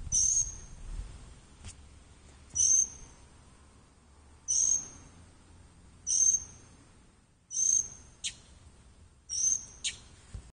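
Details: Bird calling with a thin, very high whistled note, each with a short sharp onset, repeated about every one and a half to two seconds, six times. Faint clicks and quiet background noise between calls.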